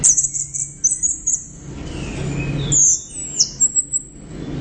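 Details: Orange-headed thrush with loud song of very high, thin whistled phrases and sharp ticking notes, separated by short gaps, over a low background rumble.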